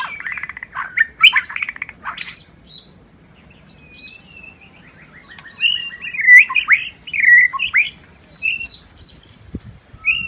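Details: Wild forest white-rumped shama singing: after a harsh scratchy burst, a long level whistle, then a lively sequence of clear looping whistles and quick high trills, with faint low background noise.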